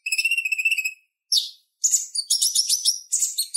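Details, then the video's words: Purple-throated sunbird in lively chatter, a tutor recording for training kolibri ninja: a long high buzzy trill, a short squeaky burst, then rapid, scratchy, warbling twitters. High-pitched throughout, with no other sounds. "Suara Ocehan Konin Gacor Tajam Ampuh Buat Masteran Kolibri Ninja"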